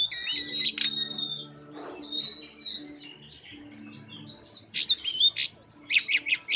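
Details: Jongkangan bird with soft twittering song: high chirps and whistles at first, a quieter gap of scattered short notes, then a renewed run of sharp, regularly repeated high chirps; low hum throughout.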